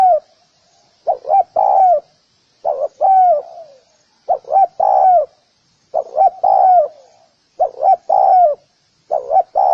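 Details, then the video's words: Spotted dove calling to lure other doves, repeating grouped coos of two or three notes ending in a falling slur, every one to two seconds. "Tiếng cu gáy gù kích bổi nhanh nổi"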